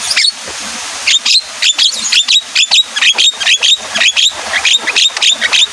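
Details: Javan myna in the rainy season, stirred to sing by rain, giving a fast series of harsh, high whistled notes and chattering bursts, several per second, over a faint background hiss.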